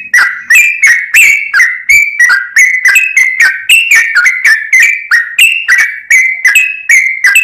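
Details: Steady song of a sooty-headed bulbul, kept as a lure: continuous rapid series of short, slurred whistles with sharp attacks, roughly three per second, each note dipping or rising slightly, clean with no background.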